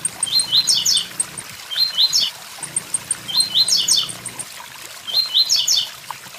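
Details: Song of the blue-black grassquit, "tui tui zel zel" style. Four phrases of sharp rising notes with tangled endings arrive about every one and a half seconds, laced with high ticking notes. Falling water sounds steadily throughout.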